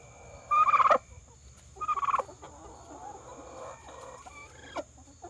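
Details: A pet hen turkey, apparently reacting to her reflection as if it were another turkey, gives two rapid, rattling gobble-like bursts about a second apart, followed by softer, quieter clucking notes.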